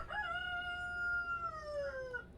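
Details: A rooster crowing at sunset, one long, strained crow of about two seconds, held steady and bright, then sagging lower; said to be telling his hens it's time to go to the coop. Low background hum.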